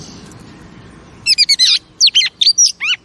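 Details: Female oriental magpie-robin singing to stimulate pet male birds: after a second of low background hiss, a run of sharp, high, twisting chirps and downward-sweeping whistles.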